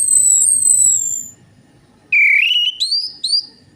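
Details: Lure song of an Orange-headed thrush: a long, high, gently falling whistle, a pause, then a warbled phrase that climbs steadily in pitch and ends with short, sharp upward notes.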